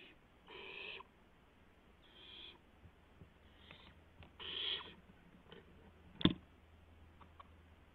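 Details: Barn owl at night in a live nest camera, recorded just after midnight on 12 April 2016 while an owlet tests its wings; several harsh hissing screeches about half a second long, with soft thumps and clicks between them over a low hum.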